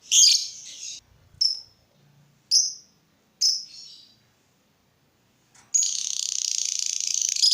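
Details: Lovebird sound used to make other lovebirds sing: four short, separate high chirps spaced about a second apart, then a pause, then a sudden continuous run of fast, dense, high chattering.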